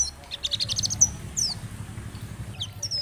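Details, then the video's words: Oriental white-eye song in the dakbal style, played to stimulate other white-eyes: a short high twittering phrase and a couple of thin downslurred whistles over a steady low rumbling background. "Terapi Masteran Pleci agar cepat Bunyi gacor dan nembak materi, pleci gacor"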